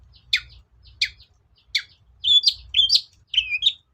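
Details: Long-tailed shrike lure song used to coax silent shrikes to sing: three sharp separate chips, then a rapid run of squeaky, rasping warbled notes, clean and close.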